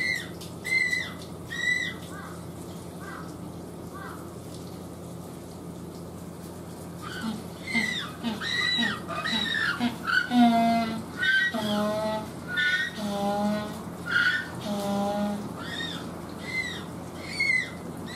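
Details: A recently fledged Humboldt penguin chick at a zoo gives harsh, harmonic squawks in quick repeated bursts, its voice still childlike and far from the deep adult voice. Finding: Humboldt penguin chick call.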